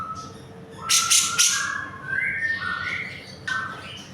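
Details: Spirited cucak jenggot song for tutoring cage birds: three loud harsh rasps, then a soft, clear whistled phrase gently rising and falling, and a final short rasp with a whistle.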